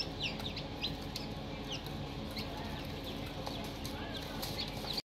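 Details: Young chickens peeping in a brooder, a busy chorus of short, high falling cheeps from several chicks above a constant low hum.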